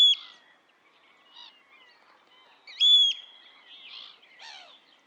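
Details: Eurasian oystercatcher recorded in the wild: a loud, clipped piping note at the start and another sharp, flat whistled pipe near three seconds, with faint chirps and warbles of other birds in between.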